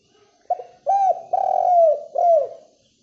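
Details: Spotted dove cooing in the morning to lure other doves into answering: a quick clipped opener followed by three rich coos, the long middle one falling away, in quiet surroundings.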